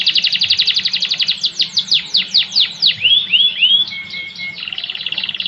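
A Timbrado canary sings a fast metallic trill, then a run of sweeping downslurred notes, rising bell-like phrases and a held whistle before the rapid trill returns.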